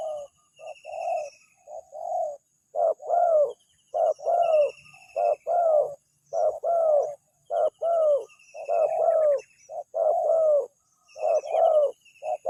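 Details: Lure call of a spotted dove that gets a direct reply; a long, steady series of hollow two-part coos, short then drawn-out and falling, overlapping closely, with soft high chirping from other birds.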